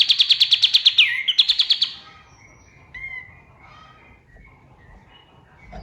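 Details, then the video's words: Male white-eye (kapas tembak) singing at dawn, described as a wild forest recording: a burst of sharp rapid notes with a brief break, followed by scattered faint chirps and quiet background. "MASTERAN BURUNG KATEM GACOR | SUARA KAPAS TEMBAK SUBUH"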